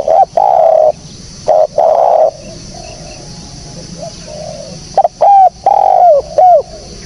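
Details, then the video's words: Spotted dove recorded clean and clear for use as a lure in bird trapping: loud low cooing phrases, short coos, then a longer falling croon, given in bursts at the start and again near the end, with faint chirps behind. "SUARA BURUNG TEKUKUR BERSIH JERNIH"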